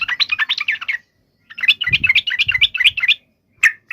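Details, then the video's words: Yellow-vented bulbul fighting song, intended to get other bulbuls to reply. It has two bursts of lively, bubbly warbling notes with a pause between, then one sharp chip and a short phrase at the end. "trucukan gacor SUARA TARUNG INI menjadikan burung trucuk gacor NYAUT SEKETIKA"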